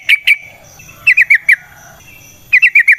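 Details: Trucukan singing a long rapid wild-style phrase for use as a lure: two sharp chirps, a pause, four quick hooked notes, then another fast trio, with a faint steady high tone behind.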